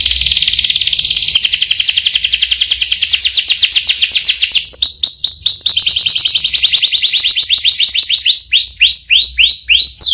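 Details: Canary in a long, unbroken rolling song of ten seconds: a steady buzzy trill changing into rapid repeated descending notes, slowing into separate downward sweeps at the end.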